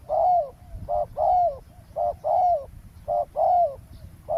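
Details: Spotted dove used as a ground decoy beside a road to lure wild doves during trapping; mellow mid-pitched coos in short and longer drawn notes, repeated roughly once a second in a steady rhythm, faint low rumble beneath.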